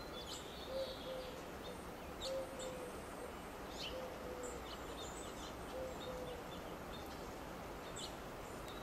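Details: A Mourning Dove perched on a Monterey pine gives soft, low, hollow coos in short paired notes roughly every 1.5 seconds, over steady hiss and brief high chirps from other birds.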